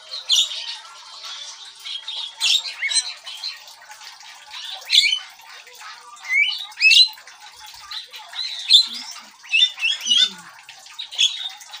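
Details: Javan myna in full song (gacor), a recording meant for luring birds: an energetic song of harsh squawks, creaky chatters and sharp whistled notes, delivered in bursts every second or so.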